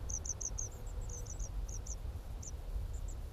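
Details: White wagtail nestlings with open eyes call at the nest, 11 June 2017. They give thin, very high chips in quick runs of four or five, then scattered single notes, over a steady low rumble.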